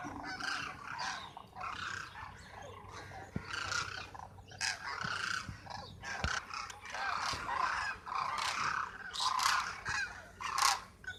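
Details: Demoiselle cranes gathered at Khichan village, Jodhpur, Rajasthan: a dense flock chorus of overlapping rolling, trumpeting calls, continuous and uneven, with scattered sharp clicks and knocks.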